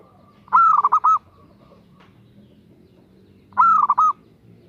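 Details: A female zebra dove calls to attract a male, giving two loud trilled coo phrases about three seconds apart, each opening with a rising note then breaking into rapid stuttering pulses.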